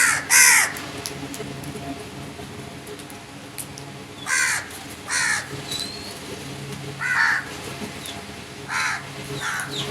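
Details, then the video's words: Crows cawing loudly and roughly: a strong opening call, then several more scattered caws at irregular intervals, with a brief high whistle of another bird in the background. "Crow birds crowing sounds and loud noise"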